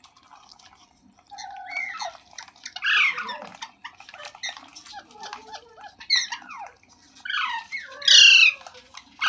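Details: Ringneck parrot giving scattered harsh squawks and squeaky rising and falling notes, some short and clipped, others drawn out, with quiet gaps between them in a quiet setting.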